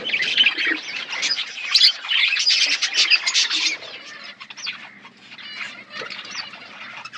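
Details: Budgie colony chirping: loud overlapping warbles and chatter at first, fading after a few seconds to sparser scattered chirps, with a faint low hum beneath.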